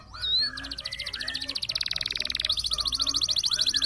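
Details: Roll-type canary singing as training song for contest birds: a brief upward whistle, then a long rapid pulsed roll, shifting to a higher fast trill, over faint low background hum.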